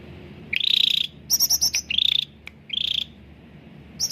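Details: Cucak ranting bulbul with clear, lively song used to lure reluctant caged birds: long quavering whistles alternating with a run of four high buzzy notes, then more trilled whistles, over a low hum.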